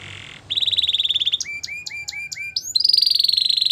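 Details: Canary training song opening with a steady high buzzy trill, then a row of short repeated falling notes roughly four per second, ending in a bright sustained rapid trill.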